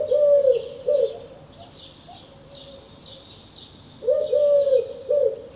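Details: Eurasian collared dove repeating its low, soft three-note cooing phrase twice, about four seconds apart, over a backdrop of faint high chirping from other birds.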